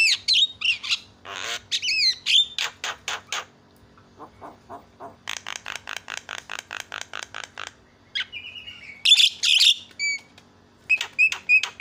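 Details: Varied Javan myna lure song meant to agitate other mynas: squawky opening notes, then rapid trains of evenly spaced harsh clicks, followed by sharp whistles and strident squawks.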